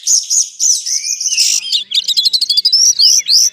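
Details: Oriental magpie-robin singing at a songbird contest ground: rapid, varied high whistles and sharp chirps in quick bursts, with a buzzy burst near the middle and bright rising slurred notes toward the end.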